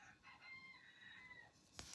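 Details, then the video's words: A small pet rooster crows faintly in the distance, a drawn-out harmonic call that falls away at the end, followed by a sharp indoor knock; the owner does not know why he is crowing. Chicken. "I don't know if you can hear my little rooster. He's crowing. I don't know why, but he's crowing."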